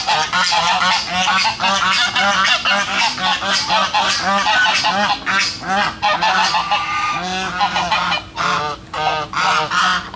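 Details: Noisy chorus of domestic geese, with ducks also calling, recorded 13 August 2016; dense, continuous overlapping nasal honks repeated rapidly throughout, several birds calling at once with few pauses.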